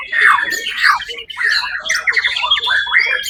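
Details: White-rumped shama competing at the Suara Agung event on 1 October 2023, where it placed first, produces fast scratchy chatter and squeaky notes in quick bursts, a busy and harsh passage of its song.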